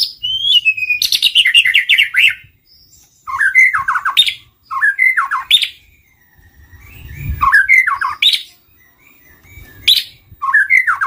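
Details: Lure recording of white-rumped shama: repeated short phrases of chattering, falling notes and sharp clicks, each followed by a pause, with some low thumping in the background.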